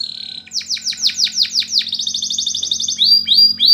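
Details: Canary song used for training other canaries: a brief whistled note, then a run of fast downward-sweeping syllables repeated about five times a second, moving into a rapid high buzzing trill and finally short rising whistles.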